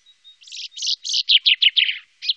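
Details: A single common chaffinch song phrase, recorded in the Wittlicher Tal in 2018: a rattling cascade of about nine loud notes, steadily descending, closing with a short final note.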